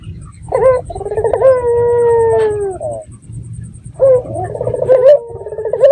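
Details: Local red-eyed dove calling as a lure to make other doves respond: bubbling, rolling coos that flatten into a drawn-out falling note, two bouts separated by a pause, over a low hum.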